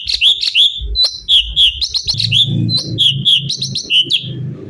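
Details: Energetic, continuous song of a cucak cungkok bulbul made as training material for songbirds: bright, high, chirping whistles in quick succession, some bouncing upward, with a noticeable low rumbling background noise through the middle.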